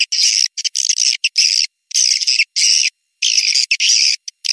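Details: Swiftlet call played as a lure to draw swiftlets, in the style called Tuyul Sakti: high, raspy chattering bursts lasting under a second each, separated by brief pauses, about one burst per second.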